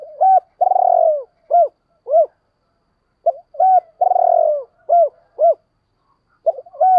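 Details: Spotted dove lure call for wild doves, phrases of a short note, a long grating descending coo and two or three quick arched coos, repeated with a pause of about a second between phrases.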